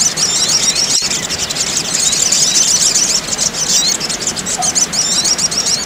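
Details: Crimson sunbird, called sogok ontong or sogon, played to calm a stressed bird. Continuous high, thin twittering of squeaky notes with quick rising and falling chirps and sharp slurred whistles, busy and unbroken over faint background hiss.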